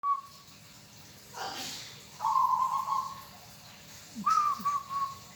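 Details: Local zebra dove singing: a short low cooing note, then a soft sustained purring trill and a clipped three-part coo, with a brief broadband rustle between phrases.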